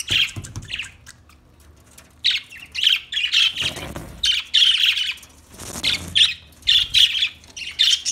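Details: Budgerigar chirping in bursts of buzzy, rapid warbled chatter, pausing between bouts of about half a second to a second, with occasional soft low thumps.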